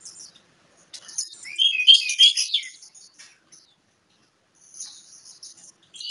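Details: Oriental magpie-robin (kacer) in ngobra style gives a short burst of fast, high, chattering warbles, followed by near silence and faint high twitters.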